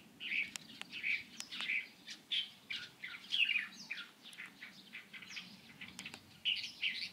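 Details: Light-vented bulbul, 16 April 2023: a series of bright, sharp chirps roughly every half second to a second, with a few twittering clusters, over soft low background noise and occasional clicks.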